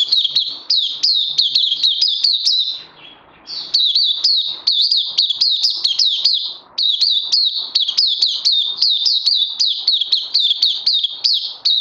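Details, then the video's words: A long, sustained oriental white-eye song from 31 May 2020: rapid, high, thin chirps strung together almost without pause, interrupted twice by short gaps, the notes flicking downward in steady succession. "Puteh Crazy LG"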